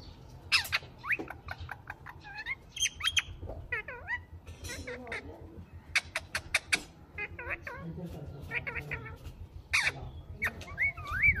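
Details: Rose-ringed parakeet, a pet talking bird, chattering a long run of speech-like syllables with clicks, rising whistled notes and short squawks, over a low hum.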